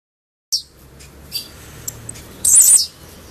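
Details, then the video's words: Albino blue-black grassquit singing a brief, very high, buzzy phrase lasting under half a second, with a few scattered thin high chips before it and low background hum. "Tiziu Albino"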